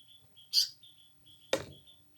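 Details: Indian paradise flycatcher indoors in a house: one sharp, scratchy burst of a call, then a loud thud, over faint thin steady whistles and a low room hum.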